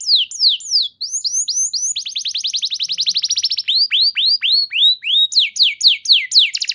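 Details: Canary song used as a lure to prompt other canaries to respond and sing: clear high notes, first downslurred whistles, then a rapid even trill, then swooping falling notes repeated in quick series.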